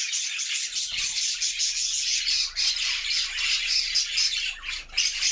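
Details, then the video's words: Happy flock of budgerigars singing in their new homemade cage: dense, continuous high chirping and warbling chatter from many birds at once, with rapid overlapping squeaky notes and bright whistled flecks. "Budgie sounds to make them sing!!"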